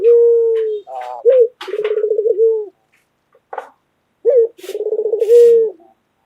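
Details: Local white collared dove, a pet bird called loud and vocal, sings repeated low coos mixing long level tones with rapid pulsed rolls, broken by brief sharp clicks and rustling sounds.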